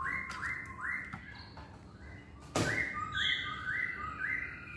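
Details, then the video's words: Masked laughingthrush in full song: short upslurred whistles repeated roughly twice a second, a brief sharp clatter midway, then more rising whistled phrases with a higher thin note, steady low room hum behind. "Burung Poksay Hongkong Gacor"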